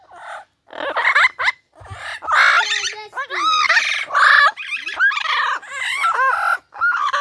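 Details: A pet Amazon parrot, described as talkative and being rude, gives loud, harsh squawks and rasping screeches in bursts with short pauses while a person talks to it.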